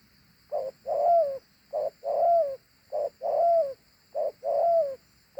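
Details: Repeated two-part coo of a large dove. A brief note leads into a sustained, gently descending note, and the pattern comes four times at an even pace, roughly every 1.2 seconds.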